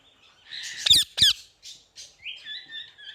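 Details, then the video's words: Parrot mixing scratchy chatter with two loud, cracking squawks, then a few short raspy notes and a pair of clear, steady whistled tones at the end. "Super Cute Parrot Sounds"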